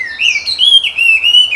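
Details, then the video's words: Wild hwamei, melodious laughingthrush, singing: a bright, clear whistled phrase sliding up and down in smooth, wavering notes, pulsing in loudness about three times a second. "HWAMEI / WAMBI GACOR DI ALAM LIAR"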